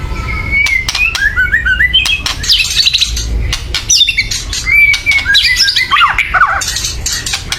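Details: White-rumped shama's loud agitated calls meant to make birds sing: thin sustained whistles and wavy warbled phrases broken by sharp clicks and raspy chatter.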